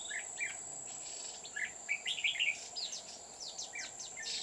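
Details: Red-whiskered bulbul singing as a caged decoy during trapping on Núi An Phú near Chùa Hương, 20 October 2019: bright, quick whistled phrases with rising and falling notes, over a steady high insect whine.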